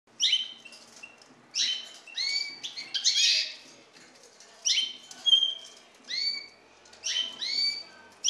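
Eurasian bullfinch giving soft, piping whistled notes in short clusters, slightly falling in pitch, repeated roughly every one and a half seconds against a quiet background.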